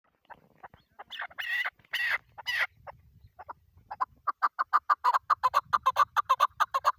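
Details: A chukar partridge, tagged as a female and recorded on the first day of a hunt, gives a few harsh, raspy bursts, then a quickening run of clucking 'chuck' notes, several each second, in a steady mid-pitched series.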